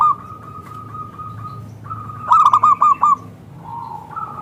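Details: Zebra dove, local type with a thick, crystal-clear voice, used as a lure for other zebra doves: a steady string of soft coos, then a loud, ringing phrase of four or five clipped, hooked notes, then quieter coos.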